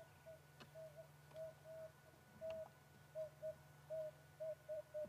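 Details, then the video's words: On an April 28 sunset safari drive, an emerald-spotted wood dove gives soft, low, hollow coos, about a dozen in five seconds, coming closer together toward the end, over a steady low vehicle engine hum. "and yeah you can hear that Dove going again"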